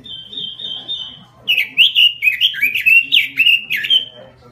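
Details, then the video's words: Caged robin in a small cage, singing in full voice: a long steady whistled note, then a run of bright, rapidly varied warbling phrases sliding up and down, with faint murmuring voices underneath. "suara burung robin gacor di sangkar kecil"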